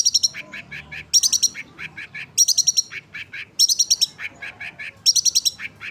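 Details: Long-tailed shrike sunbathing; bursts of rapid high chattering notes alternate with a string of lower short notes, each phrase about a second long and repeated several times.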